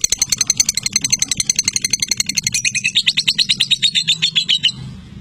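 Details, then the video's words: Rapid scratchy chatter of a lovebird, high buzzy pulses repeated about twice a second-fast run, rising then stopping abruptly near the end, over a low background rumble. "Lakbet Durasi TOP Love Bird Joss"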